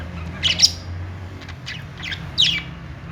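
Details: Budgies giving happy chirping calls, a few brief scratchy squawks in clusters separated by quieter pauses, over a faint low hum.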